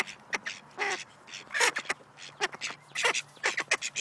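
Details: A pair of Snowy Call ducks, a domestic breed, calling together: loud, harsh, nasal quacks delivered in quick bursts and short runs, several overlapping, with brief pauses between volleys.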